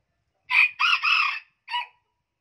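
A hybrid junglefowl crows in a short, high-pitched burst: a sharp opening note, a longer two-part middle, and a clipped final note, all in about one and a half seconds.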